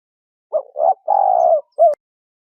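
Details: A single phrase from a spotted dove in the 'thổ rền' cooing style, a decoy call for luring doves: two short low coos, then a long steady hoot and a final clipped note. Clean and loud.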